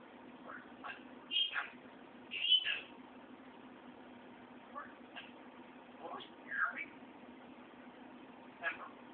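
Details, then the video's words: A 3-year-old male African grey parrot talks in short, speech-like bursts, saying a boy's name, "You hear me?" and "reporting as ordered, yes sir", with a few sharp whistled notes between them against a steady indoor hum. "African Grey Parrot Talking"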